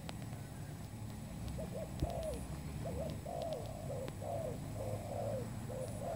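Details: Spotted dove, a new bird, recorded as a lure for trapping: repeated short hoarse coos in phrases of two or three notes, about one phrase every second, over low steady rumble and a few distant clicks.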